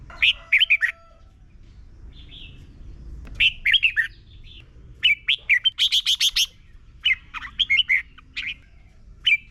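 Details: Extended Red-whiskered bulbul singing from Thailand, played so young birds learn the song: repeated bursts of rapid, bright, warbled whistles, with one phrase running into a dense string of about ten notes, and short pauses between phrases.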